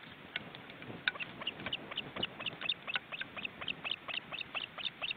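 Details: Ospreys in their nest in an Estonian forest reserve, seen on a webcam with nearly fledged chicks. Thin, high chirps are repeated irregularly over steady, rumbling background noise.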